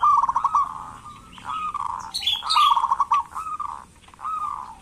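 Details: Local zebra dove in strong voice, used as a lure to get lazy doves calling: quick trilled coos in short bursts, broken by a few higher squeaky notes midway, then more rolling coo phrases.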